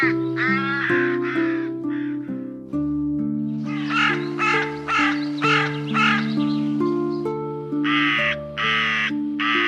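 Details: Crow cawing in a dense, hurried series of a dozen or so hoarse, grating notes, pausing briefly midway, backed by steady music.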